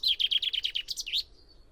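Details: Common chaffinch song: a rapid run of about nine bright, slightly falling notes that speeds into a short, rising, twisted flourish, then stops, leaving near silence.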